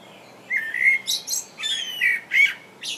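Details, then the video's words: Perched common blackbird singing in England, giving rich whistled phrases that dip and rise in pitch, broken by short high squeaky notes and ending with a sharp, high twitter, all in calm surroundings. "Blackbird singing"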